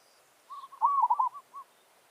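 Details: One drawn-out territorial challenge coo from a village zebra dove luring wild doves, soft notes building into a rapid, stuttering bubbling trill, then trailing off with two separate soft coos.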